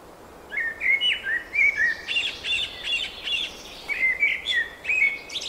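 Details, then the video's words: Spring birdsong with a lively run of chirps and whistled notes. Rapid ringing trills come mid-phrase, then more rising whistles repeat about twice a second against faint background noise. "Wiosenny śpiew ptaków"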